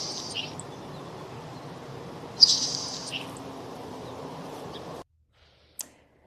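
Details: Nelson's Sparrow, a salt marsh specialist, singing two short, high, insect-like hissing bursts, like bacon sizzling in a pan, about two seconds apart over a steady background hiss; the most distinctive sound of a salt marsh.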